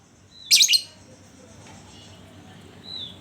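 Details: Lovebird recording used as a lure to prompt other lovebirds to sing: one loud, harsh, high double chirp, then quiet with a faint thin whistle near the end.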